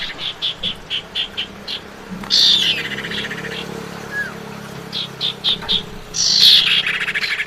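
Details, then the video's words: Calling of a female common iora to attract the male: rows of short evenly spaced chips, a descending swept note with buzzy rattle, more chips, then another harsh sweep, over steady low background noise. "suara pancingan burung cipau betina panggil jantan"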